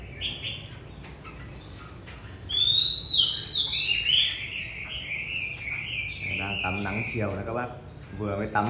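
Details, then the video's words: Old caged white-rumped shama singing freely while sunning in the afternoon right after a bath: clear whistled phrases sliding high and low, then a run of rapid buzzy repeated notes, with light background hiss. "Phơi nắng chiều choè bổi già hót sổng"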